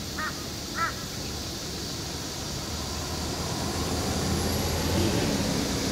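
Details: A crow gives two short, hoarse, slightly nasal calls about half a second apart, over a steady low rumble of distant traffic or aircraft; this crow was heard suddenly switching to an unusual different voice.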